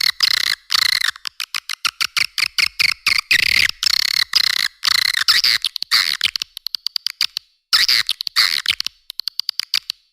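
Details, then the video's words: Edible-nest swiftlet calling sound meant to attract swiftlets, for caves and cultivation: long run of harsh chittering bursts and rapid clicks, with brief pauses and high trilled stretches near the end. "Suara Panggil 99 JT Jernih Terbaru"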